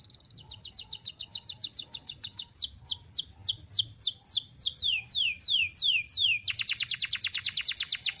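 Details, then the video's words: Canary singing long and sharp for tutoring young canaries: quick rising notes speeding up, slower looping downslurred sweeps, then a very fast, loud rattling trill to the end. "KENARI GACOR NEMBAK TAJAM , DURASI PANJANG SATU NAFAS"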